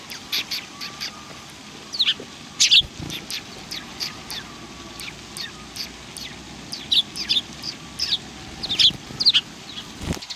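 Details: Several sparrows recorded on 19 March 2019 give busy overlapping chirps and short twittering runs, with louder chirp clusters at intervals and soft background hiss.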